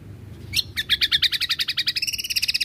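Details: Greater green leafbird (cucak kombo), gacor with tembakan fill, recorded for training caged birds. After one sharp note comes a fast unbroken trill of about twenty ringing high notes, rising slightly toward the end.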